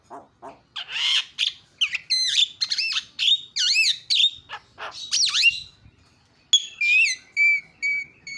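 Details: Javan myna calling, used as a lure to provoke other mynas into calling: a varied run of loud whistled, warbled and harsh notes, some rising and falling in quick loops, broken by brief pauses.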